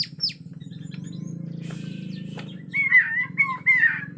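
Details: Agitated Borneo white-rumped shama, forest sound: after a steady low hum and a few faint notes, clear whistled phrases of short repeated slurs about every half second.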